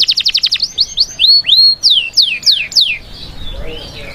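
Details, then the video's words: A canary sings to prepare females for breeding: a quick stuttering trill, then rising whistled slurs and several plunging notes, trailing off into soft chirps. "Canto canario para la preparación de las hembras"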